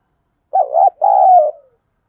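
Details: Single phrase from a decoy spotted dove stirring wild doves to fight: a quick wavering coo followed by a longer sustained coo that tails off downward.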